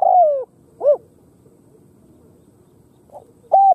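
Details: Cambodian spotted dove giving a loud falling coo followed by a short hooked note, then quiet before a faint note and another clipped coo.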